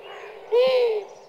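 A Long-eared Owl gives a single nasal, buzzy alarm note lasting about half a second, like blowing through comb and paper, slightly rising then falling.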